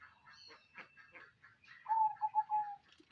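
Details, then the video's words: Crossbred zebra dove with a loud voice: a few scattered high chirps, then a clear run of low, level cooing notes broken into short repeated pulses near the end. "perkutut crosing suara besar"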